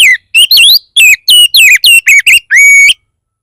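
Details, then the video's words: Oriental magpie-robin song used as a lure for other magpie-robins to sing: a rapid run of loud twisting, falling and zigzag whistles, finished with a long steady whistle. "Pancingan burung kacer bar bar naik pitam kacer lain"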